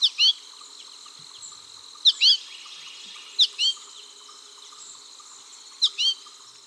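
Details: American Goldfinch giving a rising two-note "two-weet" call, repeated about every two seconds, over a faint hum. It sounds very similar to the adult call and may be a young bird begging for food or a female soliciting copulation.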